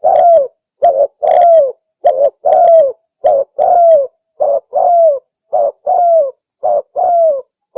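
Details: Spotted dove call played to lure wild doves: low, soft coos in quick uneven series, many notes dipping downward at the end, roughly a dozen within eight seconds.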